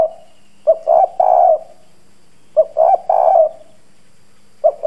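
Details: Decoy spotted dove with a hoarse, hard-cooing voice, used to provoke and lure wild doves quickly; low, husky three-part coo phrases, a short note then two longer coos, repeated about every two seconds over faint steady hum.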